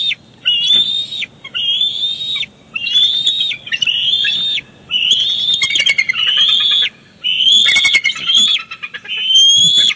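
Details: Bald eagles at Big Bear Lake, 18 July 2019, the father bringing a fish to the chick: near-continuous run of high whistled squeals broken by brief pauses, with clicking and rustling at the nest.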